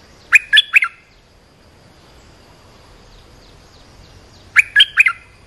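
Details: Two phrases from an olive-winged bulbul call used to train young birds and lure wild birds. Each phrase is three rapid bright chirps, and the phrases come about four seconds apart with faint background hiss between them.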